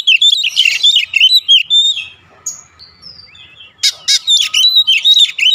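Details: An Oriental magpie-robin delivers bright warbled whistles, falls quiet with a few thin slurred notes, then bursts into harsh buzzes and rapid repeated whistled phrases.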